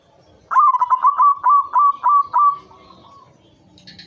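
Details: White zebra dove singing energetically, a song used as a lure to stir breeding urge in other doves: a loud cooing phrase of about seven rolling, bubbly notes, ending in a softer trill.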